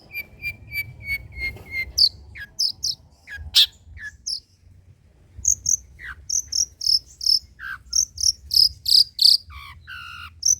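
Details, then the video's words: Long-tailed shrike (cendet) in 'materi jadul' song material: opens with a run of steady evenly spaced whistled notes, then shifts to varied high chips, slurred notes and quick, buzzy, rapidly repeated notes. "BURUNG CENDET MATERI JADUL"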